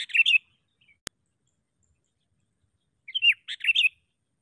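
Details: Sooty-headed bulbul kept as a trapping decoy gives two short clusters of bright, slightly warbled chirps separated by a silent gap with a single click.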